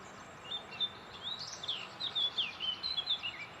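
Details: Sand martins at their nest colony beside the Gállego river, Zaragoza, in June: a busy run of short, scratchy chirps and twitters, about a dozen overlapping notes, over a faint steady hiss.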